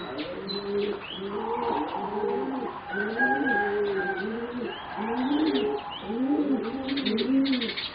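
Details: Four young competition singing zebra doves, bred from a selected mutation and about 3.5 to 4 months old, give rounded rolling coos in low arched phrases, overlapping and repeated steadily through the stretch, with faint higher chirps behind.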